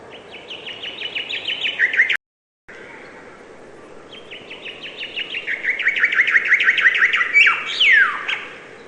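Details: Bird chirping: a run of fast repeated downslurred chirps broken by a short cut, then a longer bout of the same notes ending in a loud falling sweep, with faint background hiss.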